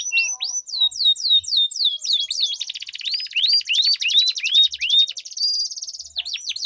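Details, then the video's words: Canary duel song meant as a lure for canaries that have stopped singing: sharp falling whistles, then a dense buzzy roll, followed by a run of evenly spaced rising-falling notes about four per second. "Duel Burung Kenari Suara Merdu Ngerol Panjang || Pancingan Ampuh Kenari Macet Gacor Ngerol Panjang"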